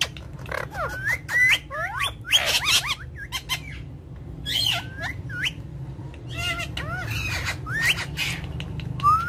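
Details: Ringneck parrot chattering: a busy mix of short upslurred squeaks, harsh squawks and twittering notes in irregular runs over nine seconds, ending in a single rising whistle, with low background rumble.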